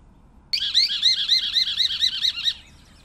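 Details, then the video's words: A Scimitar-billed Woodcreeper (Drymornis bridgesii) sings a two-second series of about nine loud, arched, ringing notes, roughly four per second, against a quiet background. "Canto del Trepatroncos Chinchero"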